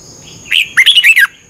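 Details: Single phrase of a caged Red-whiskered bulbul's morning training song from Thailand: a short lead note, then five rapid bubbling whistles, against a faint continuous high hum.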